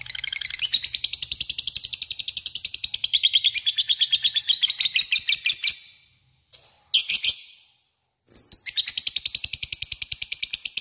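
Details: Lovebird chattering in long ngekek style to attract a rival: sustained fast buzzy trill for about six seconds, a short harsh squeal after a gap, then the rapid chatter resumes.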